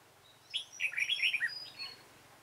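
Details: Dark-bibbed red-whiskered bulbul recorded on 28 February 2017 while bulbuls were being trapped. A single close, loud phrase of quick, chirpy, warbled notes lasts about a second, then fades over a faint low hum.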